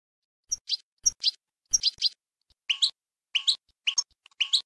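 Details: European goldfinch song in the Bayanam Ghazarat style, used for teaching young birds: short bursts of bright, high chirps in pairs, spaced by brief pauses, with a faint low thump under a few notes.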